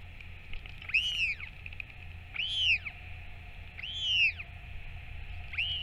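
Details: Northern royal albatross, parent feeding chick on 21 May 2024: four loud arched whistles, each rising then falling, spaced roughly every one and a half seconds, with faint low wind hum beneath.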